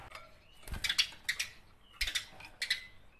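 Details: House sparrows fighting, a recording used as training audio for songbirds: harsh, buzzy chirp bursts in short clusters near one second, two seconds and 2.6 seconds, with faint thin notes between.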